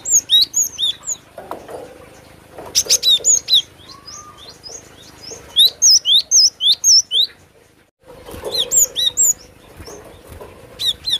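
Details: Cinereous tit singing steadily: repeated runs of high, sharp whistles, each note a quick downward slur. A pause of about a second separates the runs. Low background hiss.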